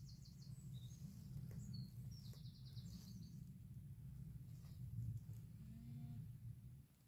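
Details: Wren singing: rapid, high, dry trills of quickly repeated notes in the first three seconds, then quieter scattered notes, over steady low rumbling background noise.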